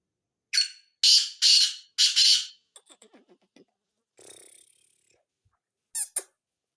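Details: Black francolin calling in Sindh, Pakistan, at 8:45 at night in February 2022: four loud, harsh, grating bursts in quick succession, then faint scattered clicks and a short buzzy note, with a man's soft voice in the background.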